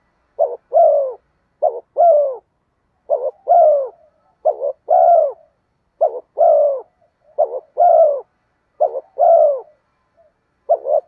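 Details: Rhythmic lure cooing of a spotted dove used to provoke wild doves: about eight phrases, each a quick broken note and a longer mellow descending coo, repeating every second or so in quiet surroundings.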